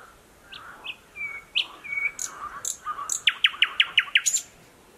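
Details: Thrush nightingale newly back on territory, singing in dense thickets near a stream, Mogilev district, Belarus, 11 May 2021; soft whistled notes and a drawn tone lead into a loud rhythmic volley of rapid repeated strokes.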